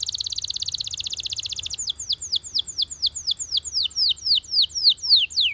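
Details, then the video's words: Belgian canary song opening with a dense rapid trill of high repeated notes, then slowing into clear, well-spaced downward-sweeping whistles repeated roughly three to four times a second, each note dropping steeply in pitch. "Belgian Canary Singing"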